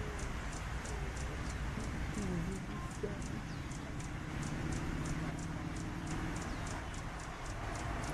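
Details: A hummingbird, identified as a glittering-throated emerald (Amazilia fimbriata), sings a thin, very high, squeaky note about three times a second, steady throughout, over a low background rumble.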